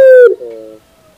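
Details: Barbary dove, used as a 2021 training recording for songbirds: one loud, clear, steady coo that falls slightly at its end, followed by a softer, lower trailing note, then quiet.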